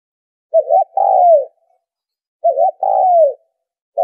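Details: Spotted dove call used as a trapping lure: two phrases, each a short wavering coo then a sustained coo gliding downward, about two seconds apart, with the next phrase just starting.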